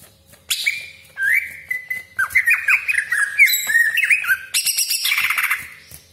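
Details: Greater green leafbird (cucak ijo) in full song, used as a lure to provoke other leafbirds; sharp whistled 'tembakan' notes slide and dip, then a chattering run of twisting phrases ends in a dense, harsh, rasping burst.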